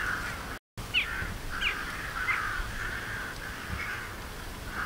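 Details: Daurian jackdaws (Coloeus dauuricus), birds of farmland and grassland in Japan, give short, hoarse, chattering calls in quick succession. Several birds overlap at a steady mid pitch over a faint background hum.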